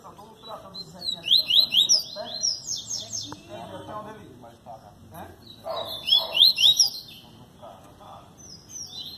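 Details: Capped seedeater recorded in João Pessoa, Paraíba, giving rapid bursts of buzzy, slurred high notes in two main phrases, with people talking at low pitch underneath.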